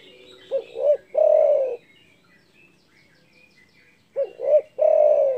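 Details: Spotted dove giving a loud, big-voiced call said to provoke rivals: two short rising coos followed by one long, drawn-out purring coo, the phrase repeated about three and a half seconds later; faint high chirping of other birds behind.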